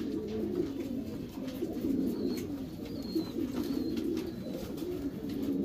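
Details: Overlapping low, throaty cooing from several Racing Homer pigeons in a loft's breeding section, steady and murmuring, with brief high thin whistles and scattered sharp taps.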